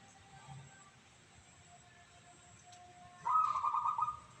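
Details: Local zebra dove with a crystal-clear voice: after about three seconds of faint background hum and a thin steady tone, a single fast, bubbling trilled coo phrase lasting about a second.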